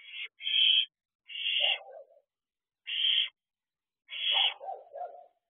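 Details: Owlets of the barn owl sitting on a nest-box perch at 10:23 pm in June: short rasping hisses in a broken series, some ending in a lower, softer chittering trail, with quiet gaps between.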